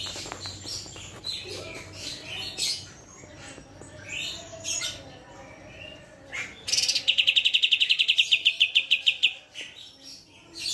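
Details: Cucak cungkok song. Assorted chirps and short whistles open the phrase, then a loud, fast, high, metallic trill of evenly repeated notes lasts nearly three seconds.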